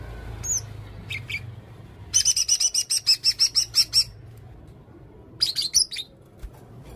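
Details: Red-necked serindit, a blue-crowned hanging parrot, singing with a varied repertoire: a few scattered high chips, then a rapid run of about a dozen evenly spaced, thin, buzzy notes, and a final cluster of twittering slurs.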